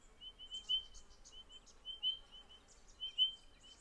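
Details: Nesting spotted pardalote pair with a summer brood, Capertee Valley: runs of soft, high whistled notes, evenly pitched and closely spaced, with scattered faint higher chips over a quiet rural background.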